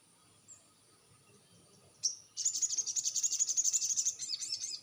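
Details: Crested jay calling, used as a lure so other jays respond: a sharp single note, then a steady, very rapid, high, metallic rattle continuing for over two seconds.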